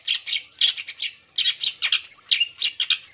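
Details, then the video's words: Long-tailed shrike singing, used as a lure to provoke other shrikes to answer: dense bursts of harsh, scratchy chattering notes mixed with short high whistles, delivered in quick clusters with a brief pause after the first second. "CENDET GACOR PAGI SIANG SORE 100% TERBUKTI AMPUH BUAT PANCINGAN AGAR CENDET LANGSUNG NYAUT"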